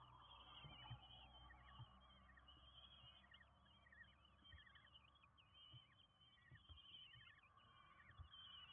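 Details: Five hungry Common kestrel chicks being fed at the nest in Windsbach, Germany, on 27 June 2022; faint, thin, rising and falling squealing calls repeat rapidly and overlap throughout, over a low steady hum and occasional thumps.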